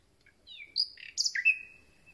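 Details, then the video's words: A common nightingale, newly arrived on spring migration, sings a quick, varied phrase: falling whistles, a brief buzzy burst, then a long, pure held note. "Słowik rdzawy i jego piękny śpiew"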